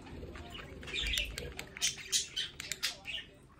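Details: Pet budgerigars kept at home, at a window near their play area, giving short scratchy chirps and clicks amid wing flutters, with brief bright squeaks late in the clip.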